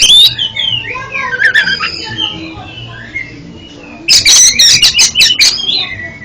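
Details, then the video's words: Kacer (oriental magpie-robin) singing as therapy for a stuttering bird: a jumble of twisting whistles and squeaks, then a quieter pause, then a loud rapid series of about eight harsh repeated notes. "MANTAB BUAT TERAPI KACER ANDA YANG GAGAP BUNYI JADI JOSS KICAUANNYA"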